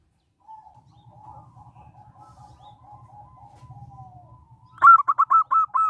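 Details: Local zebra dove singing as a lure to set off other doves: a long run of soft, quiet cooing notes, then a loud burst of quick, even coos near the end.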